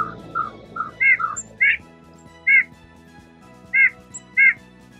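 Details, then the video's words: White-breasted Nuthatch song, nasal mid-pitched "yank yank yank" notes, several in quick succession then spaced about a second apart, over a steady background hum. "Their song sounds like a nasally kind of "yank yank yank." Here it is."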